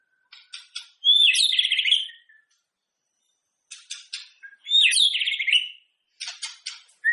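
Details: White-rumped shama song used to prompt other shamas to sing before a singing contest: two loud rich warbled phrases with rapid buzzy trills, each preceded by short clicking ticks, with pauses between.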